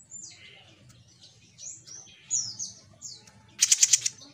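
A bird sings a quick run of thin, high whistled notes that slur downward, then ends in a fast, sharp chattering burst. A faint low hum runs underneath.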